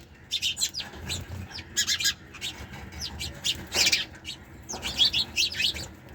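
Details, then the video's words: Several sparrows chirp in short, high, overlapping bursts of quick repeated notes with brief pauses, over a faint low background rumble. "Sparrows Chirping Sound"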